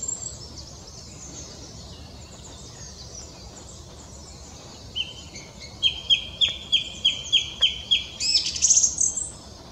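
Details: Wild mistle thrush in Portugal on 16 March 2017, a bird that sings at dawn and at sunset: faint high twittering at first, then a quick run of about eight clear repeated whistled notes ending in a shrill, squeaky flourish.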